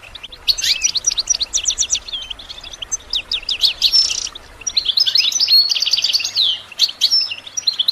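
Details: Training song of a goldfinch for songbirds: rapid descending chirps open into a jumbled, liquid twitter with thin pure whistles and sweeping slurred notes.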